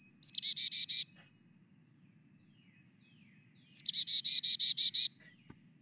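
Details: Carolina Chickadee giving two chickadee-dee calls: a couple of high, quick 'chick-a' notes then five or six harsh, buzzy 'dee' notes; the number of 'dee' notes is said to signal predator size and threat.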